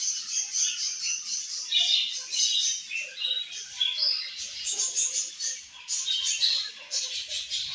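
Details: Several Australian budgies twitter and warble continuously. High, scratchy chirps tumble over one another, with occasional louder bursts and faint soft tapping underneath.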